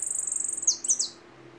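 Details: Goldfinch song: a high, thin trilled buzz followed by two or three sharp downward-slurred chirps, then fading.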